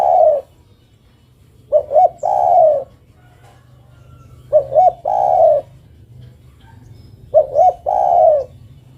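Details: Spotted dove, a female calling to the male, gives repeated coo phrases: two quick rising notes, then one long warbling coo, three full phrases roughly every 2.8 seconds over a faint low hum.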